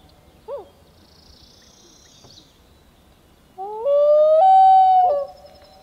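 A loon gives a short bent note, then a long, steady mournful wail that rises slightly and holds for over a second before dropping off.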